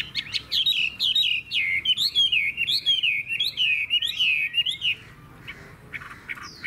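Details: Chinese hwamei kept as a captive bird, giving the loud "hót hét" singing style. Rapid, rich whistled phrases roll up and down, about two per second, for five seconds before a quieter tail.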